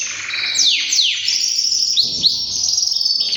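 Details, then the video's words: Three-year-old white male canary giving a fast song phrase of sharp downward-slurred whistles followed by a dense, high rolling trill held to the end. "beautiful male canary singing"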